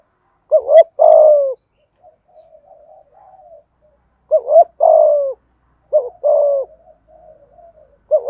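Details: Spotted dove cooing in the 'thúc gù' style meant to provoke wild doves: low hollow two-part phrases, a quick wavering note then a longer falling coo, repeated about every four seconds with soft murmurs between.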